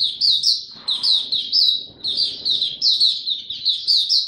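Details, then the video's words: A young captive white-eye, recorded on 9 February 2022 while its song matures, sings openly: a thin, high twittering of quick, sweet notes in short repeated bursts, running almost without pause. "Mata Puteh Dagger Video 1 buka sing tiong aw studying his progress n maturing"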